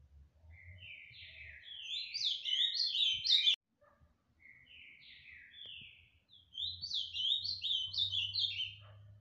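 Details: Fibra-style song of an ultramarine grosbeak in Tijucas do Sul, Paraná: a clear, sweet warbling phrase of slurred notes climbing then falling, a silent gap, then a second similar phrase, with light background hum.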